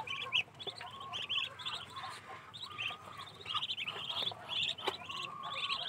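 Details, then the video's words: Caged ducklings peep steadily, each call a short, high, slightly rising note repeated in rapid series by several birds at once, over a faint steady tone. "ducklings in cage"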